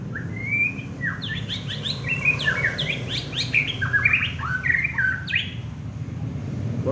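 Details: Champion contest white-rumped shama delivering a long, rich song of rapid varied whistles, slurs and sharp high notes that barely pauses for nearly seven seconds, over low steady rumble.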